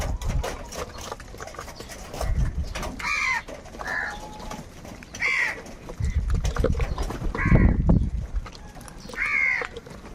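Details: Angry crows competing for food call in repeated short, grating caws spaced about two seconds apart, over heavy low rumbling and thumping noise.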